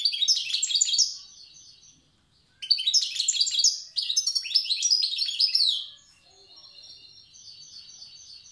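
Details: A wild goldfinch from Tiaret sings old-style phrases: two or three rich bursts of rapid, jingling twitters and trills, then a stretch of softer, thin repeated notes.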